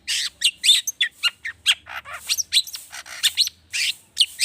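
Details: Agitated long-tailed shrike with a full, varied mimicry fill, used to encourage other birds to sing: a rapid string of harsh buzzes, clear whistles and twittering notes.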